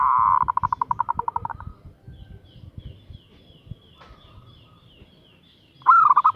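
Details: Female zebra dove calling a male: a long, fast series of mellow coos that fades out, several seconds of quiet with a faint high thin call from another bird, then a fresh loud burst of coos.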